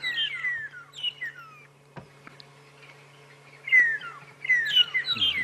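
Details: Two flocks of magpie (long-tailed) shrikes in an apparent territorial dispute at a boundary, at sunrise on August 21, 2016: clear, downslurred whistles in quick overlapping bursts over a steady low engine hum.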